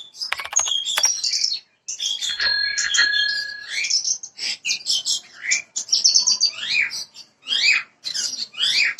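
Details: Bushlark, parva form, song used as a lure so a raw bird starts singing fast: a busy stream of sharp chirps, fast trills and downslurred whistles, with a steady thin tone early on.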